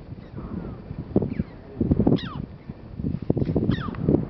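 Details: Red-billed chough at Komik Village, Kaza, Spiti Valley, Himachal Pradesh, India (Himalayas), giving a few sharp, high 'chee-ow' calls sliding steeply downward, about a second apart, over steady low wind rumble.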